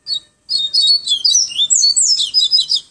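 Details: High, fluty tui tui viviti flautado song of a Yellow-bellied seedeater in Pero Vaz, Salvador, Bahia: an opening note, then an almost unbroken string of quick, bright, slurred whistles and trills lasting over two seconds.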